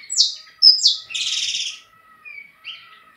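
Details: Saffron finch from a bred line singing quick falling chips, then a buzzy trilled note lasting under a second, followed by softer short notes.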